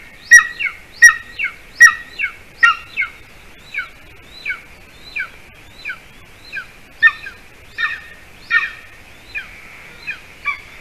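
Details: Golden eagle heard from a nest camera in Latvia, 06-12-20, 8:42 p.m., around a late prey delivery of a larger bird to the nest; a long series of about fifteen high, falling yelps, loud at first, then softer, then rising again.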